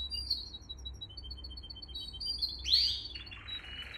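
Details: Canary singing for young-canary training: a sequence of thin high pips and short whistles, a bright rising sweep, then a soft buzzy rolled phrase over low hum.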